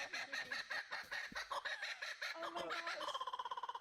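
Laughing Kookaburras give a raucous, cackling chorus of harsh chuckles that speeds into a fast, evenly pulsed laughing roll, with a human voice faintly behind.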